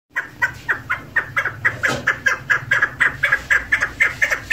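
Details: Female chukar partridge kept as a hunting bird, calling a steady series of short, hoarse clucking notes about twice per second. A low hum runs underneath.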